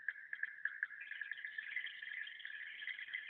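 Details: Swiftlet "tahan" internal call for holding birds: a dense, continuous twittering of fast, high chirps, a few separate clicks at first, then unbroken buzzy chatter.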